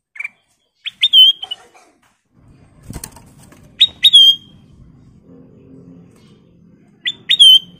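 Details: Kutilang emas (sooty-headed bulbul) singing in full voice, repeating a phrase of short notes that ends in a ringing whistle three times. A loud wing-flap or rustle and a low background rumble come between the phrases.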